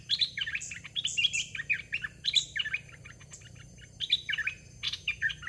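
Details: Caged decoy red-whiskered bulbul luring young wild bulbuls. Bright, quick warbled phrases of slurred whistles, several overlapping, tumble out almost continuously over a faint low hum.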